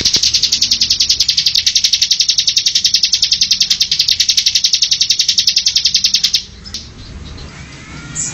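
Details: Bar-winged prinia singing nonstop as a training tutor: a rapid, even, high-pitched trill of clicking notes lasting about six seconds, then a sudden stop that leaves faint background noise.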